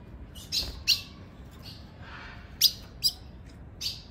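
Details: Sharp, high metallic chips from a female Ultramarine Grosbeak at 5:10 pm, used as a lure call for males: six notes at an uneven pace, over a faint low background hum.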